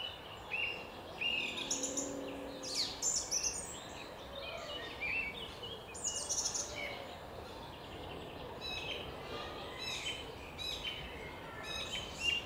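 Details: Thrush in a park: a busy run of short, high chirps, trills and whistled notes in quick, varied phrases, some loud and sharp, heard over a steady background hiss with a brief low hum near the start.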